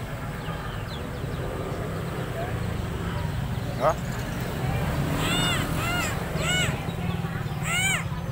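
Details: Tame, vocal helmeted friarbird (koak kaok) from Sumbawa, freshly bathed, delivers a run of loud arched, harmonic notes about every half second through the last three seconds, over a steady low hum and men talking.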